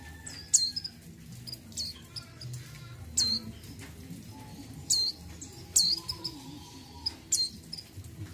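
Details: Female mountain white-eye in breeding condition calling to the male: short, sharp, high chipping notes with a downward flick, given singly or in quick pairs at irregular intervals over a soft low background hum.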